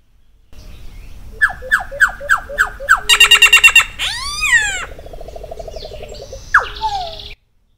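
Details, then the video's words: Solitary cacique (Cacicus solitarius) runs through a varied song: five quick falling whistles, a harsh rattling burst, sweeping slurred notes, then a low buzzy trill, over a faint hum. "Canto do Iraúna de Bico Branco Cacicus Solitarius"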